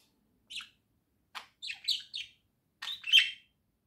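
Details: Two pet budgerigars chirping indoors in the morning: short scratchy chirps in little clusters, one lone note, then a quick run of three or four, ending in a louder burst.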